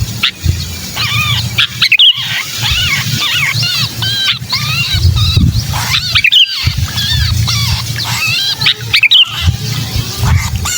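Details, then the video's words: Sooty-headed bulbul distress calls used to lure wary bulbuls: long stretches of rapid, overlapping harsh squawks rising and falling, broken by a few short gaps and sharp clicks, with a low hum throughout. "Suara pikat burung kutilang kejepit"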